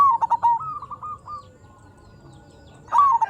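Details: Actively singing local zebra dove, used to make silent perkutut respond: a phrase of quick pulsed coos melting into a run of softer level notes, a pause, then the next phrase beginning loudly.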